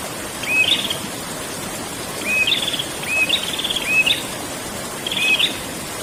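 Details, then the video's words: Prinia performing its rolling ngerol song: clear whistled upslurred notes, each followed by a quick buzzy trill, given in bursts about a second apart, backed by continuous rushing noise. "burung prenjak ngerol"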